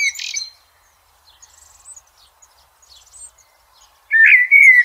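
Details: Blackbird singing outdoors: a short burst of song opens, then a long quiet stretch with faint distant bird notes, then a clear, mellow whistled phrase.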